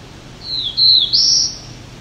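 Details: Wild male Black-throated Blue Warbler singing while picking bugs off leaves in maple trees near Lion's Head, Ontario, Canada, on July 17, 2019: thin, high, buzzy phrase of two short notes followed by a higher, drawn-out note.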